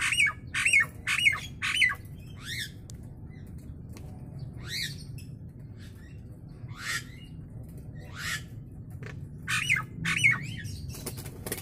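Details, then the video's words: Nias hill myna heard in a training recording of its natural voice: loud, harsh squawks with sharp downward-hooked notes, clustered in bursts at the start and end with quieter gaps between, over a low steady hum. "Suara Asli Burung jalak nias"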